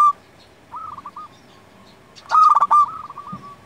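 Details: Local Zebra Dove singing to lure and tutor other doves: soft rippling coos first, then one loud stuttered phrase running into a rolling trill of coos.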